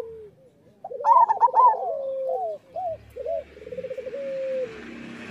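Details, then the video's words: Zebra dove, a local bird, singing as a training master for caged doves: a quick rippling trill, then short looping coos and a steady rolling purr that fades out. "Perkutut lokal gacor Suara Masteran Burung Perkutut Paling Ampuh"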